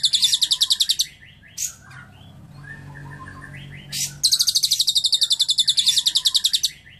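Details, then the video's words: Lovebird singing cililin-style learned song in clear sound: two bursts of fast, shrill, rattling trills, separated by a pause with soft chirps and faint twitters. "Love bird isian cililin"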